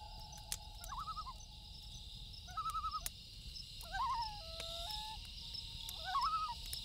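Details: Loon at night producing quavering, warbling tremolo bursts, four short laughing phrases spaced about one to two seconds apart, with faint crickets and occasional crackling from a campfire.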